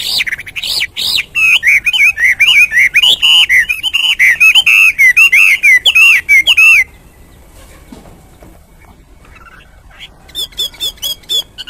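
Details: Sustained Hwamei song: about seven seconds of loud, rapid, varied whistling with rich overtones, then near silence before a few short, thin notes return.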